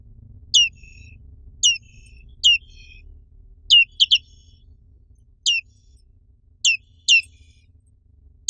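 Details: Indonesian black-capped white-eye uttering crisp, high chirps that drop sharply in pitch. Single notes alternate with quick doublets at irregular intervals.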